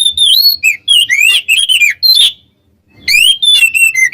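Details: Twin Oriental magpie-robins singing to provoke rival birds, used as a lure. Bright, loud whistled phrases rise and fall quickly, break off for about half a second, then resume with sweeping upward notes.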